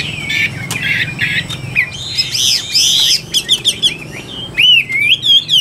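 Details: Caged Chinese hwamei singing in bursts: whistled phrases amid clatter and a broad rushing noise, then a series of quick clicks and clear swooping whistles near the end.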